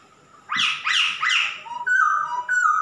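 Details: Singing male masked laughingthrush kept as a cage bird: three loud rising-then-falling buzzy whistles, followed by a sequence of clean level and drooping whistled notes.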